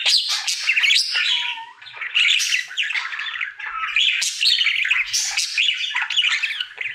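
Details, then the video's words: Indoor male budgie singing his happy daily routine: dense scratchy warbling of chirps, clicks and squawks, one drawn-out lower whistle early on, chatter continuing almost without break. "Budgie singing for 1 Hour Happy song!"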